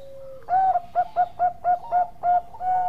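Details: Bangkok-type zebra dove, singing often: after a soft held tone, a full coo starts six short rhythmic coos, ending in a drawn-out mellow note; background is quiet apart from faint hiss.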